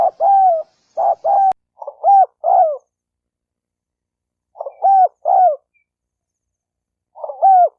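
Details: Spotted dove coo used to provoke males and females to fight: several bursts of doubled low hoots, one quick run then spaced pairs after a pause, no other sounds.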